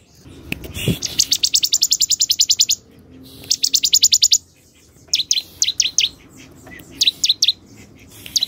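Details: Bar-winged prinia, known locally as ciblek, singing in a scenic setting: rapid trains of sharp high ticking notes repeated about fifteen times, a pause, another burst, then separated bright chirps and short downslurred whistles.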